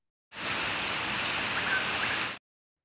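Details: A Northern Parula's flight call: a single very high, thin, whistled note sliding smoothly downward in an instant, over steady hiss, with a Chuck-will's-widow calling faintly behind.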